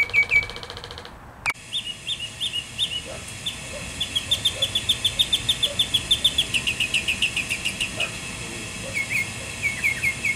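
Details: Mockingbird voicing a free concert near a cabin alongside a drumming woodpecker: a loud opening note, then long rapid runs of short whistled notes, each run of one note type repeated many times before switching.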